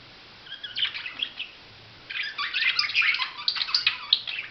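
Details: Budgerigar chattering: a brief run of chirps, a pause, then a longer busy stream of rapid scratchy twitters and squeaky warbles packed closely together.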